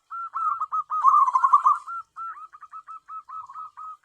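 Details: Zebra dove, a tame bird for luring wild doves, gives a quick, rolling, bubbly burst of coos, then a string of short, spaced, clipped notes at an even pace.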